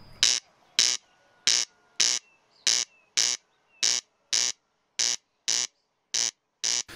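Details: Corn Crake, a long-legged meadow bird living in tall grass, giving its territorial dry, rasping crex-crex, harsh buzzy notes repeated steadily almost twice a second, with faint whistles of other birds behind; calls from evening through night into morning.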